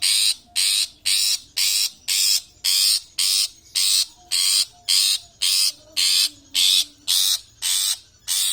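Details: Javan white-eye song described as ambrol total: loud, harsh, broadband bursts repeated in a regular rhythm, about two per second, each lasting roughly a third of a second, with little else in the background.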